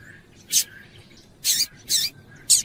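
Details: Double-collared Seedeater female, calling to stimulate a male: four bright, buzzy high chirps over under three seconds, three of them evenly spaced at the end, with soft background hiss.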